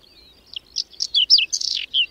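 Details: In a May blizzard at the edge of Domzherytsy village, Berezinsky Biosphere Reserve, a whinchat gives one brief song phrase: a thin whistle, then quick crackly chirps and a harsher rasping note, ending on a clear high note.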